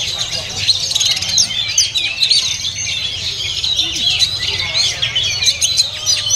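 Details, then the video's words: Caged oriental magpie-robin at a bird market singing varied high whistles, clipped chirps and rattling twitters, repeated in quick bursts. Distant talking and a low market drone are audible. "Oriental Magpie Robin Singing"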